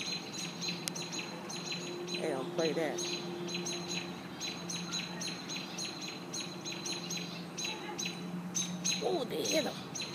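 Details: Robins defending their nest against a hawk give rapid, piercing high chirps in uneven bursts, overlapped by a low steady hum and a person's brief wavering exclamations at two and nine seconds.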